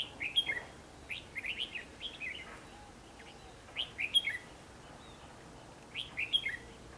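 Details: Decoy red-whiskered bulbul in Hòa Bình, Vietnam, on 28 March 2016, singing to draw wild birds into a trap; clear warbled, chirping phrases in groups of two or three, repeating every second or so, with pauses between bursts.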